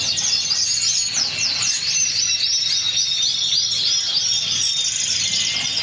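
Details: Spanish Pheao canary in sustained song: dense high rolling trills and rapid repeated notes flowing without pause.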